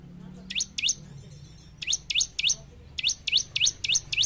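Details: A vigorously singing bar-winged prinia, played to train caged birds, gives rising chirps in bursts of two, three and then five, spaced about three per second.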